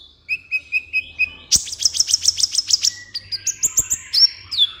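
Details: Sunbird (kolibri ninja) song for a master recording aimed at captive birds: a run of evenly spaced mid-high whistles, then a fast buzzy high trill, ending with sharp chirps and a long falling whistle.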